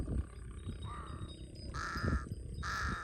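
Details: Large-billed crow in Cambodia giving three drawn-out, hoarse caws, the first softer and rising, the last two louder and longer, against low rumbling background noise.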